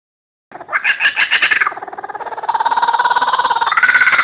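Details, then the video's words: Laughing kookaburra, captive, from World Wildlife Zoo, indoors in a television station green room; after a brief silence a loud rolling laugh of rapid harsh chuckling notes starts, then settles into a fast, even cackle that rises in pitch near the end. "laughing kookaburra"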